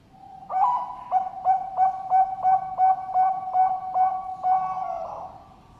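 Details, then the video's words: Bird-farm zebra dove of the Bangkok type, Sidoarjo, East Java, Indonesia, giving a full song: an opening coo, a run of about eleven evenly spaced, clipped mellow notes, then a longer slurred closing note fading out. "PERKUTUT BANGKOK SUARA LENGKAP IRAMANYA SYAHDU"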